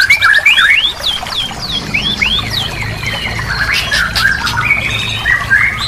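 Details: White-rumped shama singing in a recording used as therapy for a bird that stopped singing: loud sweeping upslurred and downslurred whistles follow one another quickly, with a low hum underneath.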